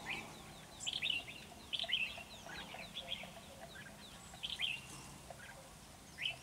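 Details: Ché-style red-whiskered bulbul singing hard at a trap against a decoy: short bright warbled phrases repeated roughly every second, with softer chirps between and faint background noise.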